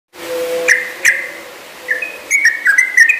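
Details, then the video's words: Yellow-vented bulbul (trucukan) singing lively with a long ropel, the rapid run of song; here a few bright whistled notes come first, then a quicker burst of liquid whistles, over a low steady hum. "Burung trucukan yang sangat gacor dan ropelnya panjang"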